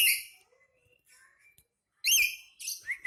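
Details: Harsh screech from an angry pet black-capped lory, then faint thin whistles and quiet, before two more rough grating screams close the short stretch.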